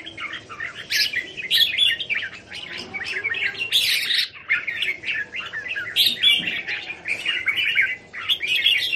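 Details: Red-whiskered bulbuls from a flock of kept birds at a Thai home, 27 January 2021, pouring out continuous lively chattering notes with repeated sharp, bright bursts throughout, several birds overlapping.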